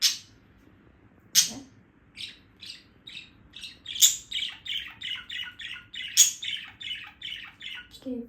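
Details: Female budgerigar, kept indoors, warbling in quick, scratchy chirps and squawky bursts with a few sharp louder squeaks among steady chatter in a quiet room, on a morning, excited by many birds passing and singing outside; owner says she may be hungry.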